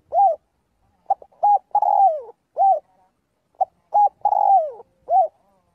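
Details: Spotted dove's daily voice practice, calling the flock: brisk short coos build into a long downward-gliding coo, then a rounded closing note. The phrase comes twice, about two and a half seconds apart.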